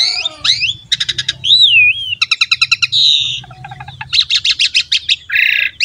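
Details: Asian pied starling song used as a lure to provoke other birds to sing: loud varied phrases of whistled notes, a rising-falling slurred whistle, rapid repeated chattering bursts and harsh buzzy notes, with a faint low hum underneath.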